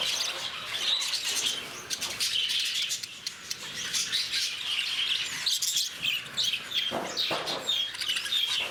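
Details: High, shrill chirping from a flock of lovebirds at Bannerghatta Zoo, Bangalore: rapid, overlapping squeaks and twitters with clear repeated sharp notes, the chatter dipping briefly around the third second then resuming loudly.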